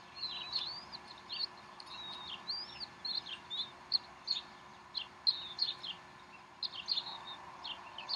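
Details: Decorah bald eagle nest, 12 April 2012 at 3:10 pm Central Time, mother feeding the young a snack; busy series of sharp high chirps and squealing slurred whistles, almost continuous, over a low steady hum.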